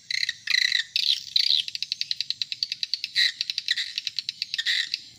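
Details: Swiftlet call for attracting adult swiftlets, buzzy rasping bursts followed by a long fast series of dry clicks, then more rasping chirrs.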